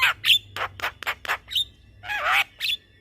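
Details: Javan myna in a lively long rolling song for tutoring other mynas: repeated broad harsh squawks with a high whistle, then a drawn-out scratchy warble.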